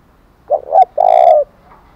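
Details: One loud thổ đồng style phrase from a spotted dove, a challenge call for fighting: two short rising coos, a brief pause, then a sustained mellow coo.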